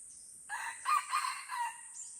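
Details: Crowing Red junglefowl during a violent forest fight at Lamteuba, Aceh. A brief raspy opening syllable leads into three stronger ragged bursts and a fading tail, with constant high-pitched insect drone behind.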